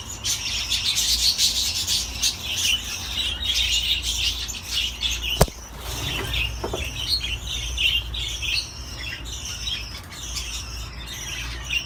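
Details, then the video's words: Budgerigar warbling and chirping chatter, loud at first, then softer after a sharp click, with a few lower swooping notes and a steady background hum. "تغريد طيور الحب االبادجي"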